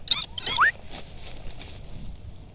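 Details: Falconry-kept Rufous-bellied eagle uttering two quick, high, strained call notes followed by a short rising squeal, then quiet low background noise.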